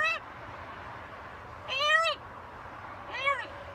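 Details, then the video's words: Pet macaw parrot talking: three loud, harmonic, arched calls, each about half a second or less, separated by pauses over a faint steady background hum. "Macaw talking"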